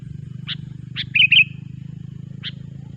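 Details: Loud sooty-headed bulbul song used as a trapping lure: a brief pair of liquid, wavering notes framed by sharp clicks, with steady low hum throughout.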